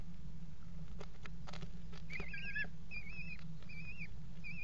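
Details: Eurasian kestrels mating on the rim of a nest box at a water tower, 5 February 2018: after faint clicks, a run of wavering, trilled whining calls begins midway and repeats several times over a steady low hum.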